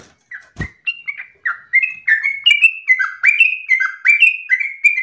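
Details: Yellow-vented bulbul song, loud and long-breathed, presented for other birds to copy: begins with a few scattered whistles and a sharp click, then builds into a dense run of downward-bending whistled notes.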